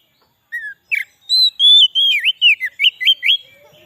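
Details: White-rumped shama song played to lure wild shamas: a few separate whistles, then a quick series of loud swooping notes dipping and rising.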